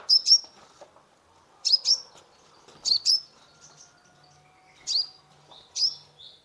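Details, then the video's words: Kolibri ninja sunbird song used as therapy for a stressed caged bird: paired high sharp chirps repeating every second or so, with thin whistled notes trailing. "Terapi pancingan konin gacor full isian mengatasi burung stress !!"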